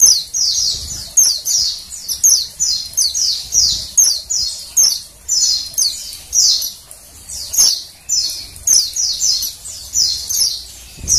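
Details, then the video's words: Dense series of thin, high, downward-sweeping chirps from a female Oriental white-eye, closely spaced throughout, given to stimulate males to sing. "suara PLECI BETINA penggacor PLECI JANTAN"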